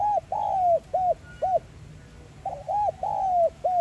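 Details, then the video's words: Spotted dove, 'giọng son' voice style, used to stimulate decoy birds. Two back-to-back cooing phrases each hold short hooting notes and one long, slightly falling coo, clear over faint low background hum. "Cu gáy GIỌNG SON Gáy Gọi + Thúc kích bổi nhanh nổi|Tiếng cu đất gáy kích mồi tập bổi hiệu quả"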